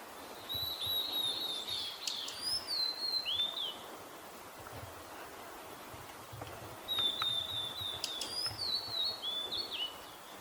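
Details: Male Blue-and-white Flycatcher in Kita-Harima, Hyogo, Japan, sings two clear, high whistled phrases with sliding notes and a few sharp ticks, apparently in response to a female calling nearby; faint background hiss.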